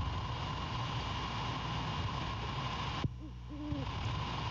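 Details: Great horned owl pair at their nest in Savannah, Georgia, at 23:10 on 17 January 2022, as the male returns to his mate: three seconds of rushing noise, then a few deep, soft hoots close together near the end.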